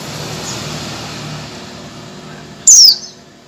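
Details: Calling female Oriental white-eye, luring a male: after a stretch of low traffic noise, one loud, high, thin whistle drops in pitch over about a quarter second.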